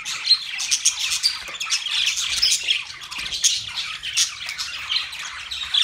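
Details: Budgerigars, Australian parrots, chatter in squawky, buzzy chirps and short whistled notes, densely layered and continuous from start to finish.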